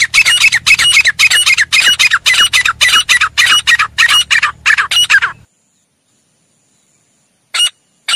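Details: Partridge (teetar) giving a loud, harsh call repeated nearly twice a second for about five seconds. The bursts are grating and broadband. A low hum runs under them, then silence follows, broken by two more short calls.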